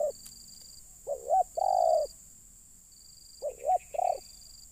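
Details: Spotted dove recorded during bird luring, where wild birds are drawn down: a wavering double note followed by a long, level, hoarse coo, repeated twice, with a steady high whine starting and stopping in the background.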